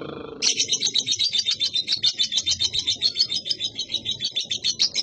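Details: Young lovebird, described as gacor (chattering actively), pours out a fast, continuous stream of shrill, high chirps, roughly seven notes per second, pulsing steadily throughout after a brief lower sound at the start.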